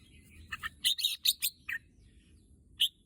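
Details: A red-whiskered bulbul said to want to go to the contest field gives a quick burst of clear, slurred whistles, five or six notes in a row, then one lone note after a pause.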